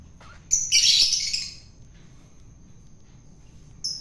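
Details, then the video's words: Long-tailed shrike, caught wild and being hand-fed to tame it, gives one loud harsh chattering burst lasting about a second, then a short rasp near the end, over a constant thin high tone. "KASi MAKAN BURUNG CENDET PENTET AGAR JINAK"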